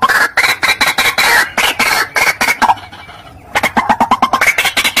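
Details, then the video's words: Lure call of the white-breasted waterhen, known locally as ruak-ruak, wak-wak or truwok, from Java, Indonesia: strident, croaking notes repeated rapidly, broken by a short lull, then resuming as a fast rhythmic chorus. "suara pikat burung ruak ruak / wak wak / truwok / Kreo padi"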